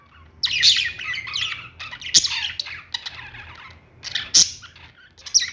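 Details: Lovebirds chirping in a pet store: shrill, scratchy high chatter in overlapping bursts, with sharp squawks standing out every couple of seconds.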